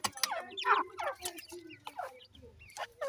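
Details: Grey francolin chicks during feeding, giving rapid, harsh, descending clucks and chirps in quick succession over a faint low hum.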